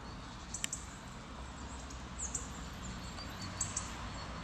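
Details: Hawfinch calling near Levice in late February: a few short, sharp, very high ticking notes at wide, irregular intervals over a steady low rumble of background noise.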